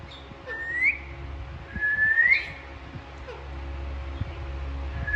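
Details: Alexandrine parakeets talking and playing give two rising, clear whistled notes about a second apart, followed by faint soft squeaks above a constant low background hum.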